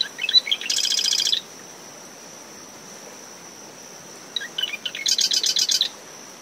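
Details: Two Marsh wren songs about three seconds apart, early morning from dune shrubs surrounding a nest, ten meters from the high tide line. Gurgling clicks lead into dense, buzzy mechanical trills. An unbroken cricket tone sounds over wind and wave noise.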